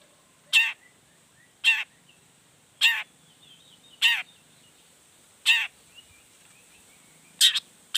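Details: Long-tailed shrike calling energetically to stir rival shrikes into singing back: six grating, buzzy notes spaced about a second apart with short pauses, over a quiet background.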